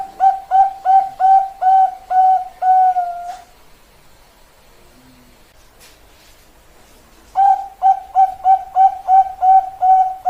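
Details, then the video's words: Bangkok-type zebra dove (perkutut) singing: a run of short, evenly spaced cooing notes, then a longer drawn note, a pause of about four seconds, and the clipped coo series resuming. "perkutut bangkok"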